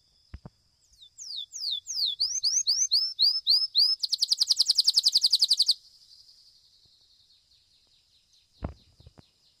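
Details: Domestic Belgian canary singing in a competition, fibra style: a series of high downslurred whistled notes speeding up, then a fast buzzy trill for about two seconds, fading away, with a couple of clicks near the end.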